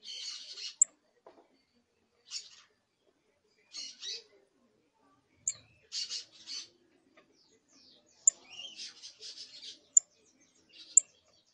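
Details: Young canary chick practising its first songs and trills: clusters of harsh, buzzy high notes at uneven intervals, a rapid chattering passage near the end, and crisp clicking ticks scattered throughout.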